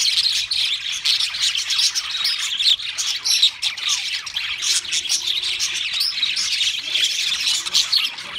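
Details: Pet budgies chattering in song, with quick squeaky chirps, rasps and warbled phrases overlapping throughout, and a faint low hum in the middle.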